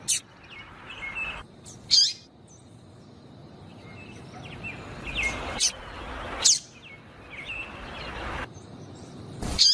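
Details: Female yellow-bellied seedeater (papa-capim) giving calls meant to excite a male into singing: sharp, very high chips spaced a few seconds apart, with faint thin whistles of other birds and soft background hiss between them.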